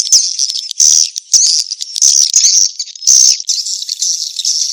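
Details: Swiftlet lure call of the mating-chase style: shrill, chattering twitters in surging bursts, about one per second, with rattling clicks between phrases.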